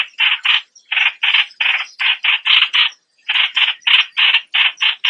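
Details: Streak-eared Bulbul giving paired and single rasping notes separated by short gaps, a clear pause near the middle, faint thin chirps overhead.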